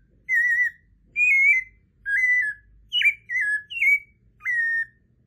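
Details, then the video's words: A White-necked Thrush, one of Brazil's most beautiful songbirds, sings six clear, slurred whistled phrases, each under half a second, about one per second, some rising then dropping, against a quiet background. "Canto número 23, Sabiá Coleira. Canto"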